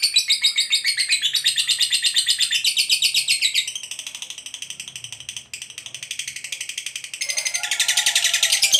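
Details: Lovebird giving a long ngekek trill, used to provoke other lovebirds into singing: rapid, high, buzzy chattering trill pulsing about four times a second, sustained throughout with a brief dip midway and a louder burst near the end.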